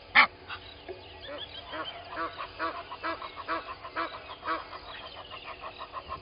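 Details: Egyptian goose pair at Gowrie dam waterhole on Djuma Game Reserve, Sabi Sand, South Africa, at dawn: a loud opening honk followed by a steady series of short nasal honks, roughly two per second, with a low background hum.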